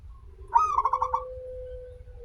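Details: A single phrase from a local zebra dove, used as a lure to make zebra doves sing: a quick rising note, a burst of pulsed rolling coos, then a long steady low tone trailing off.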